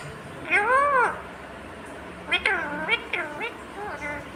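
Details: Talking green Indian ringneck parrot produces a long arched, nasal syllable, then after a pause a cluster of four quicker rising-and-falling voiced sounds, clear and close against a quiet room.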